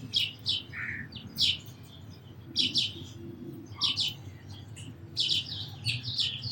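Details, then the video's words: Sparrows giving short, bright chirps in loose bursts, roughly one burst per second, with pauses between groups and a low steady hum underneath. "Very Beautiful Birds & Sparrows Sounds"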